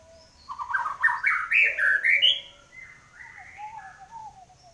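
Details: White-rumped shama, a kept bird after moulting, in full, lively song: a loud rush of rising, tumbling whistled notes climbing in pitch, then quieter warbles and a gently falling series of soft whistles.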